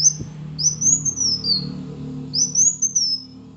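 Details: Kolibri Wulung sunbird song for prompting a quiet bird: two long, very high whistled phrases that rise, waver and slide downward, with low humming background noise throughout.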